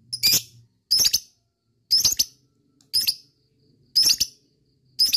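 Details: Lovebird, meant as a stimulus for lovebirds to sing a long ngekek: harsh, scratchy high chirps about once a second, each a short grating burst.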